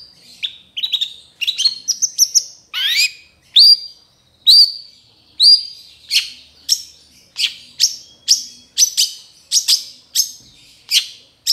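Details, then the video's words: Long-tailed shrike (cendet trotol) in a training recording for other birds: sharp, high, downward-sweeping notes repeated about once a second, with a few slurred whistles in between, on a clean background. "MASTERAN CENDET TROTOL AMPUH CEPAT GACOR"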